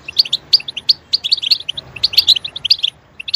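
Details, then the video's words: European goldfinch song, loud and lively: evenly spaced sharp high chirps leading into fast tinkling twitter runs, ending with a short pause and a last chirp. "Stimulating a goldfinch clip to make it chirp in a loud and wonderful voice"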